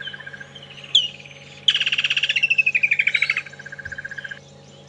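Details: Woodland Kingfisher, possibly a played recording, on a morning safari drive at Djuma and Arathusa on 22 November 2014: a sharp note, then a loud, rapid trill falling in pitch over about two seconds, over a low engine hum and faint chirps.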